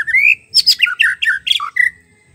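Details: Wild white-rumped shama song, played to stimulate a caged shama that has stopped singing: a rising whistled opening, then a burst of loud, varied chattering and squeaky notes, ending on a level whistle.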